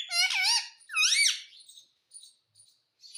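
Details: Indian ringneck parakeet talking, saying "mummy": two loud, nasal, harmonic syllables with bending pitch, the second rising then falling, followed by soft high chirping.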